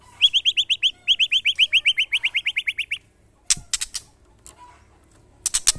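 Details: White-rumped shama put through a mental test beside neighbours' birds: a rapid run of about twenty bright, identical chipping notes, four per second, then a pause broken by sharp clicks and knocks.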